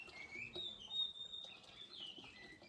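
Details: Blue whistling thrush on a high-altitude orchard farm in Ratnari, Himachal, gives its haunting thin, high whistles, one held steady, then sliding down and rising again, over soft outdoor background noise.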